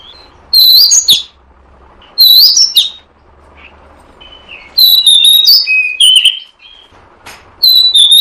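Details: Oriental magpie-robin lure call, used to attract and trap birds: loud, clear whistled phrases with sharp rising and falling notes, given in four separate bursts with short quiet gaps between them.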